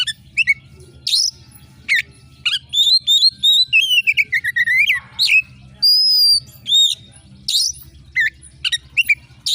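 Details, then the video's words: Oriental magpie-robin singing in full voice, sharp shrill style to excite contest birds: mixed rasping bursts and sharp slurs, a run of rapid whistled notes falling in pitch, a long high pure whistle, then more scratchy chips and short slurs. "suara KACER GACOR JERIT TAJAM‼️cocok mendongkrak emosi kacer di gantangan"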